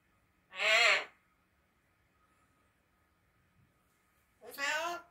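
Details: A three-year-old pet eclectus parrot imitates speech such as "hello?", producing two rich, harmonic, voice-like utterances separated by about four seconds of quiet indoor silence.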